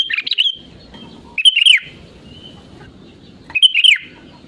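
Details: Sooty-headed bulbul's genuine voice, meant to prompt other birds to sing: three short bubbling phrases of bright chirps slurring downward, separated by pauses over soft background noise.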